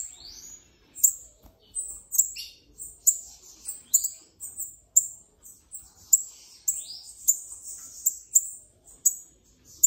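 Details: Uncaged Bananaquit (sibite) repeating piercing, very high clipped notes about twice a second, clean and sharp against a quiet background.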